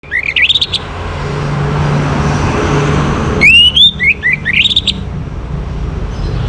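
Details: Orange-headed thrush in the morning, a recording used to bring birds into breeding condition: a short burst of rising, slurred whistles, then a longer run of clear whistled notes and rapid twitters over a steady low rumble.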